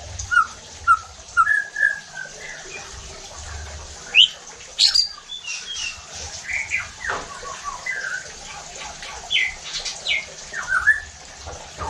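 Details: Shama song played to stir other white-rumped shamas into singing hard and showing their repertoire: scattered short whistles and sharp high chips with gaps, fairly thin and spaced, over steady background hiss.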